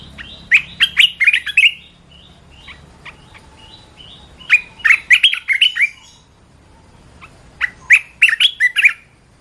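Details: Red-whiskered bulbul, likely caged, singing: three bursts of rapid, bright, warbled phrases of about six notes each, spaced roughly three seconds apart, with quiet gaps between.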